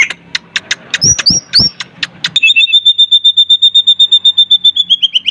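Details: Sulawesi myna in full song: sharp clicks and upward-flicked whistles open the phrase, followed by a long even series of clear, high whistled pips repeated about four times a second, slightly falling at the end.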